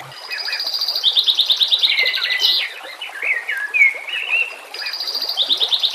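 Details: White-rumped shama master song for training birds: a fast high rattling trill of repeated notes, then rich whistled and warbled phrases, before the rattling trill returns; soft water sounds behind.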